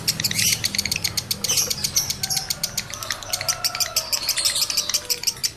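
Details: Male lovebird in high breeding condition, a recording played to stimulate other males into breeding mood and singing: rapid, shrill, metallic chattering twitters repeated about three times a second, with a faint low hum beneath.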